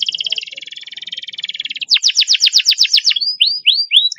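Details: Canary performing a long speed roll, recorded as a master to coax reluctant canaries into singing: a steady high buzzing trill for nearly two seconds, then rapid falling sweeps, then slower rising slurred whistles.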